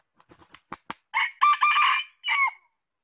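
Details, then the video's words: Red junglefowl crowing: a run of five or six short, soft clucks, then a loud, hoarse, harmonic crow in three linked parts, a long sustained middle section and a brief falling end, cut off cleanly with no other sounds. "Suara ayam hutan | Chicken fowl sound"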